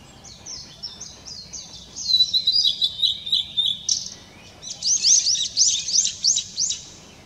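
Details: Song of a blue-and-white flycatcher, May 2016, a run of bright high whistles that turns into loud, rapid buzzy notes repeated about three times a second, over a low steady hum.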